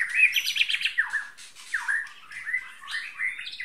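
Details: Long-tailed Bahorok white-rumped shama, tail measured at 33 cm, delivering a loud varied song: rapid buzzy bursts at first, then swooping whistled phrases dipping and rising, with brief pauses between bright notes.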